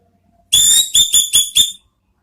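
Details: Ngeriwik-style lure song of an orange-headed thrush, used to provoke ngeplong calls: after a brief silence come five bright, high, piercing whistles, the first longest, then four shorter ones evenly spaced.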